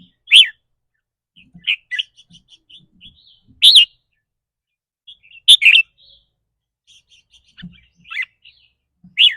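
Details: Red-whiskered bulbul calling its 'rik' notes, which change between rapid and doubled with the day's mood. Loud piercing chirps sound about every two seconds, separated by softer twittering, with occasional faint knocks.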